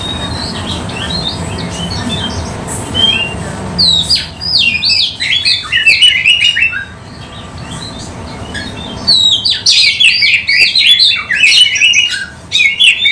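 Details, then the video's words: Oriental magpie-robin singing vigorously, used to lure other magpie-robins: rapid, varied high chirps and whistled phrases in dense bursts, a lull near the middle, over steady low background rumble. "KACER GACOR buka ekor bongkar kualitas cocok untuk pancing kacer"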